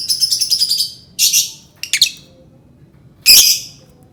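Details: Lovebird song used to provoke other birds: a fast run of high, shrill chattering notes, then harsh screechy bursts and a loud squawk, with faint low background hum.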